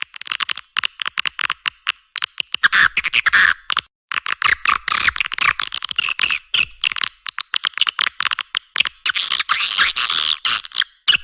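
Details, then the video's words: Swiftlet response call: continuous rapid, high, rasping chirps and clicks with longer buzzy twittering stretches, steady throughout. "Suara Walet respon"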